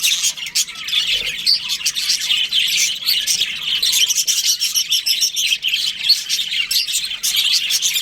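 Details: Many budgerigars chirping together in breeding season, a steady, busy chorus of shrill tweets and chattering warbles with a soft knock near the start.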